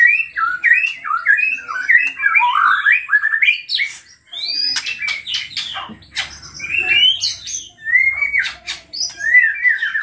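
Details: White-rumped shama in full, agitated song, played to draw out other shamas: quick varied whistled phrases mixed with sharp clicks and high piercing notes, bursts separated by short gaps.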